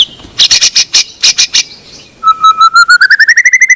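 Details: White-rumped shama, a training lure meant to make a reluctant bird sing: a harsh, noisy burst of rapid chattering notes, a pause, then a clear whistled note series that climbs and quickens toward the end.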